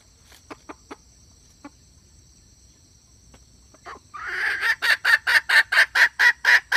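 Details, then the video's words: Hen call from 2021, recorded for luring birds into traps: scattered faint clicks at first, then from midway a steady series of harsh, nasal squawks repeated roughly twice per second. "เสืยงไก่แม่ร้องต่อเข้าดีมากsuab poj qaib seev zoo cuab heev"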